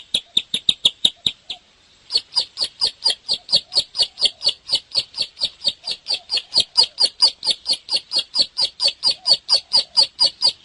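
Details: Bar-winged prinia singing actively: a short burst of sharp high chips, a brief pause, then a long, even, rapid series of piercing notes at roughly two per second.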